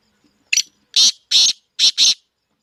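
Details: Black francolin (kala teetar) offered for sale: one short high note followed by four loud, harsh, grating bursts in a quick two-pair rhythm, the whole phrase under two seconds, against a quiet background.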